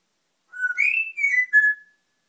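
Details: A pet African grey parrot whistles a mimicked tune, The Great Escape theme: a low note, a sliding rise to a bright tone, then two falling held notes, with a quiet room behind.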